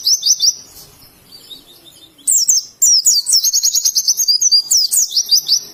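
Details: Oriental white-eye from Indonesia singing "ngalas" style: high, rapid twittering phrases of quick up-and-down whistled notes, a short twitter at the start, then after a pause a long bright warbling run to the end.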